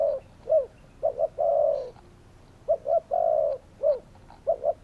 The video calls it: Spotted doves calling!